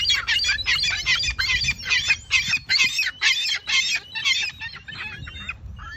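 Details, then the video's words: Herring gulls standing close together on pavement, heads bowed then necks stretched up at 45 degrees, give a harsh, rhythmic choking call: rough pulses about twice a second, steady throughout, over a faint low rumble. "A gull making” choking calls”"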